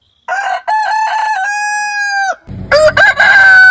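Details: A rooster crows in stuttering opening syllables that run into a long, steady, clear note. A second, louder and rougher crow follows against low background rumble.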